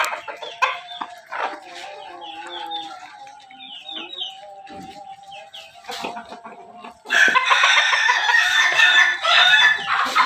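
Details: Crossbred rooster of ayam ketawa, pelung and bangkok lines from Jogja: a long, steady, drawn-out crow held for several seconds among scattered chirps and clucks, then loud, harsh, broadband calling near the end.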